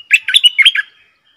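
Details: Song of a captive streak-eared bulbul decoy bird, used to lure wild birds and train young birds: a quick, bubbly burst of about five chirpy, mid-to-high notes lasting under a second.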